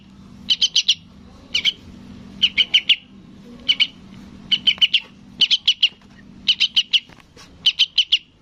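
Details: Sooty-headed bulbul chick calling its parent, repeating sets of three or four sharp, grating high chirps about every second, over a soft low background rumble.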